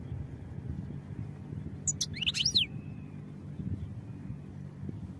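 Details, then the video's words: European goldfinch song for training, one brief burst of high, sharp twitters and down-sliding liquid notes, with a soft low hum throughout. "Goldfinch Songs for Training"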